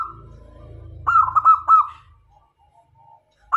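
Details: Local zebra dove used as a decoy to attract males and females gives a loud bubbling, stuttering cooed phrase followed by soft scattered coos, with a low hum at the start.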